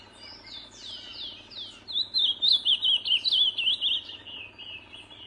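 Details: Wild ultramarine grosbeak singing in nature: a few slurred introductory whistles, then a fluid, warbling phrase of rapid up-and-down notes lasting about three seconds, fading at the end. Steady low background hiss.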